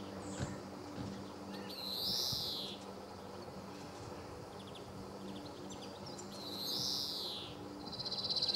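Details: Male European greenfinch recorded on 26 July 2014 at Sabunike, Croatia: two drawn-out, wheezy, buzzy notes about five seconds apart, each swelling then fading, over a steady low background hum.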